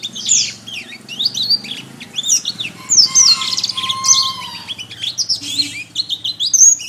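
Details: Canary masteran, a training song for teaching birds to sing: rapid high twittering phrases with sweeping whistles and buzzy trills, plus a steady lower whistled tone near the middle, continuous throughout.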